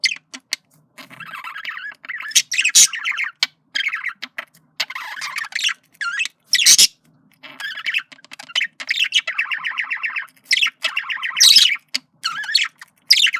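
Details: Courting male budgerigar kept as a pet gives a long run of scratchy warbled chatter mixed with buzzy trills, loud squawks and high chirps, broken by brief silences.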